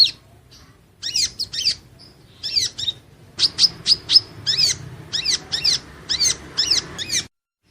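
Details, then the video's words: Van Hasselt's sunbird (burung madu pengantin) sings a training song for caged birds: scattered sharp chips at first, then a steady, fast run of high, downslurred notes before stopping abruptly. "Suara Burung madu pengantin (Leptocoma sperata) Kolibri Ninja Konin Latihan Gacor Gantang"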